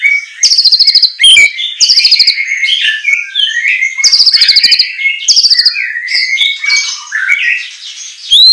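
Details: Captive white-rumped shama singing a training song for other birds; a loud, rich mix of whistled phrases, rapid buzzy trills and sharp harsh bursts, densely delivered with brief pauses, no other sounds.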